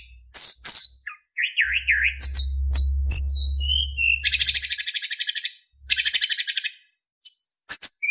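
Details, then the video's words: Caged narcissus flycatcher (sikatan emas) song used as a training recording for other songbirds: varied high whistles, rapid buzzy trills and wavering notes, with a low hum beneath the middle section. "MASTERAN BURUNG SIKATAN EMAS GACOR FULL ISIAN & SULINGAN JERNIH"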